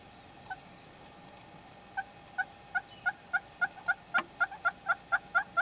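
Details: Red-billed hornbills in Kruger National Park give a run of hollow, clucking notes that start sparse, then speed up to about three per second, steady in pitch.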